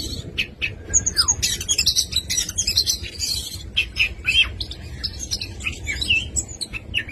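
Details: Full song of an oriental magpie-robin, dense and varied, mixing downslurred whistles, fast twittering trills, harsh squawky notes and sharp clicks, delivered almost without pause over faint low hum.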